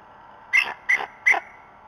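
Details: Bald eagle calling at the Decorah North nest before dawn at 04:50 on 27 March 2016, shouting at the nest: three sharp, high, clipped notes evenly spaced about a third of a second apart over a quiet background.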